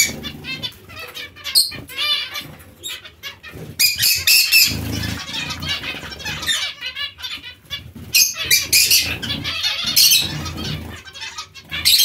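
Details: Busy zebra finch chatter: repeated nasal, trumpet-like notes in dense runs, with wing flutters and a low hum beneath.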